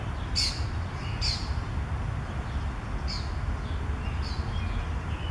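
Yellow Warbler giving four sharp, high chip notes spaced unevenly over five seconds, over a steady low rumble of wind or distant traffic.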